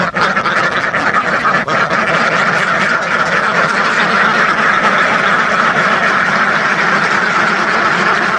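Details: Massed quacking from thousands of ducks, a continuous crowded clamour of nasal calls, with a few sharper clicks near the start and then a steady, even din.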